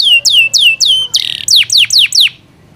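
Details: Yorkshire canary kept as a pet, singing a short phrase of loud drooping whistled notes, a brief harsh buzz in the middle, then more downward sweeps before falling silent.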